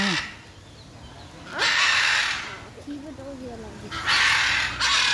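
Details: Macaws on 6 June 2022 give two loud, harsh, raspy screeches about two seconds apart, with softer voices murmuring in between.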